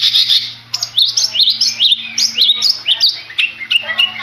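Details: Contest long-tailed shrike from Madura with a continuous stream of rapid, varied chirps and slurred up-and-down whistles, busy and scratchy throughout.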